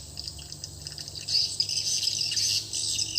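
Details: Swiftlet lure call played in a swiftlet house after the new calling sound was installed: dense, rapid high chirping and twittering, steady and overlapping, with faint low hum beneath.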